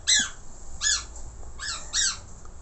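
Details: Budgerigar, a Falk bird singing actively with varied phrases, producing four separate rough, nasal chirps with a rising-falling shape, spaced irregularly against a quiet room background.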